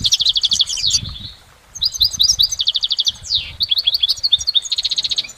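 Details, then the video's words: In nature, a goldfinch sings clean, rapid trills of repeated high notes alternating with downslurred chirps and buzzy phrases, one short silence near the start, background quiet. "Exceptional recordings of the goldfinch in nature"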